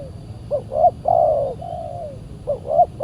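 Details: Spotted dove, said to be very fierce, answering a trapping decoy on a Saturday; two quick rising notes then an extended level coo, followed by a fresh start of short notes.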